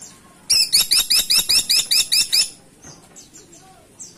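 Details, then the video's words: A chatty freckle-breasted woodpecker (caladi tikotok) gives a long, even rattle of about ten shrill, squeaky notes at roughly five per second, then a few faint twittering calls trail off. "Burung Platuk Caladi Gacor Ngeplong"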